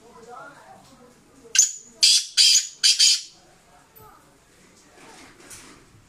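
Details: Fearless Sindhi black francolin calling: four loud, harsh, grating bursts close together, the last two running almost back to back, over faint background murmur.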